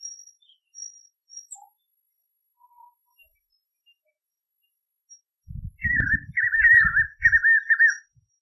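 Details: Spot-backed puffbird in the caatinga. Near-silence and faint distant notes give way to a loud burst of quavering, warbled whistles in three linked phrases over low thumping noise.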